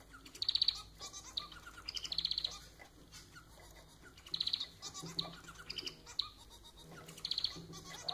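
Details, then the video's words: Caged pet society finch (manon) in song: repeated grating, buzzy bursts about every two seconds, each a quick rattle of stacked notes, linked by quieter chirps, in a quiet indoor setting. "Vídeo para fazer seu MANON cantar muito!"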